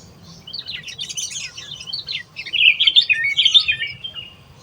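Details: Wild sooty-headed bulbul in full song, a dense tumbling stream of bright chirps and short warbled phrases, loudest in the middle, over faint low background rumble.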